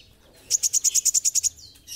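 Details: Olive-backed sunbird, locally called kolibri ninja, singing lively: one rapid trill of about ten sharp, very high ticking notes lasting a second, followed by a brief thin downslurred note, over a quiet background.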